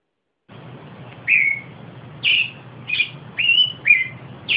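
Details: An Austral thrush (Patagonian thrush) of southern South America sings six short, clear whistled notes, roughly half a second to a second apart, some sliding downward, over a faint low hum.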